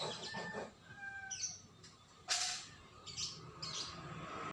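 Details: White-rumped shama song: a few thin, clear whistled notes, one lower whistle near the first second, then sharp bright bursts around the middle and later, all over a steady low hiss.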